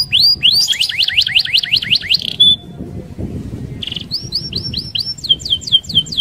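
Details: Energetic rolling song of a canary, intended to draw other canaries into singing: quick run of high curved whistles, a short pause with a buzzy note, then bright repeated upward-swept phrases.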